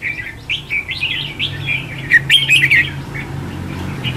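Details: Bulbul, red-whiskered, singing a decoy contest phrase for trapping: a run of sweet whistled notes rising into a brief louder flourish over a steady low hum.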